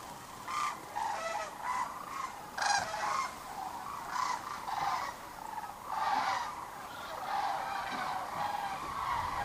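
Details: A large flock of sandhill cranes (Antigone canadensis) returning to roost on the Platte River near Kearney, Nebraska, on the evening of 27 March 2009 gives overlapping rolling, rattling calls in a steady chorus with louder bursts.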